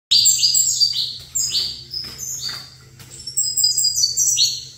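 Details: Saffron finch, a male singing while facing another saffron finch: bursts of bright, high, sliding chirps in quick runs, broken by short pauses, with a steady low hum underneath.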